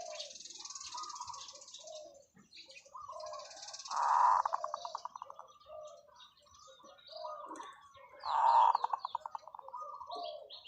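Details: A light-voiced zebra dove kept as a decoy gives long calls. Twice a strong cooing note is followed by a fast, fading train of clipped coos, set among many quieter dove calls and high chirping.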